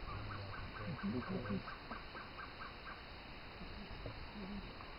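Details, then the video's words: Gartered trogon singing in forest near Torti, Panama: a run of about a dozen short, evenly spaced notes. Low human voices talk over the middle of the series, and a steady electronic hum runs underneath. "Gartered Trogon"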